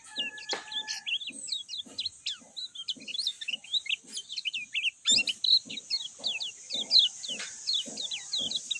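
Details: Lemon-bellied white-eye giving a long, steady stream of short high chirps and flicked notes, with soft low thumping sounds beneath and a faint high hiss throughout.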